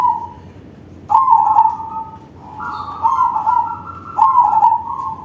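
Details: Big-voiced crossing zebra dove singing as a lure for other doves. Rolling, vibrating coos overlap in layered phrases at two close pitches, with a brief soft note before the first loud burst and clicks at each onset.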